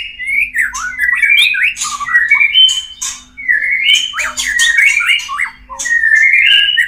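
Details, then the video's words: White-rumped shama (murai batu) mating song used to bring caged birds into breeding condition. Loud, varied whistled phrases slide up and down, broken by harsh buzzy bursts, with a steady low electrical hum beneath. "SUARA PANCINGAN MURAI KAWIN"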